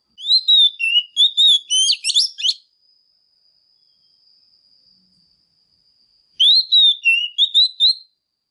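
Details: Female Oriental magpie-robin, singing to excite males, gives a phrase of whistled notes and busy chirps. A thin steady high tone fills the gap before another whistled phrase.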